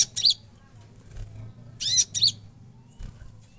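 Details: Konin singing energetically: short, harsh, wheezy high bursts in pairs, separated by short pauses, with a low background hum.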